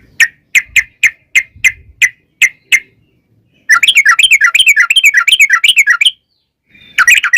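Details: Yellow-vented bulbul (trucukan) singing a long rapid 'ngalas ropel panjang' song, used as a lure to provoke other bulbuls to sing. Eight evenly spaced bubbly notes open, then a pause, a dense fast chattering run, silence, and another burst.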